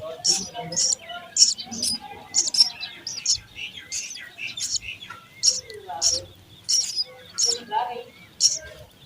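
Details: Sparrow chicks in the nest calling to be fed, a steady series of high, piercing cheeps about once a second, with soft rustling and some faint background voices.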